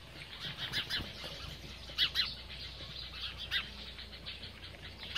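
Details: House sparrows chirping while feeding, a loose irregular chatter of short sharp notes, some in quick doubled bursts, with soft fluttering and rustling beneath and a faint low hum throughout.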